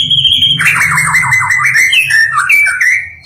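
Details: National champion white-rumped shama singing: a held high whistle, then a fast run of warbled, sliding notes that rise and fall in a rich, varied phrase, over a steady low hum.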